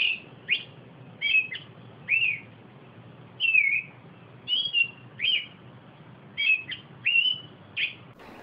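An Austral thrush sings short, clear whistled phrases, some slurred downward, given in irregular bursts of one to three notes over a faint low rumble.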